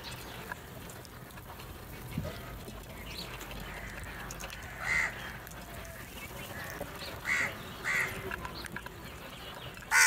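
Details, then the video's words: Crows fighting over food: a few short, harsh cawing calls burst out at intervals over a steady background hiss, with a louder call at the very end. "Crow Fight | Crow Sounds"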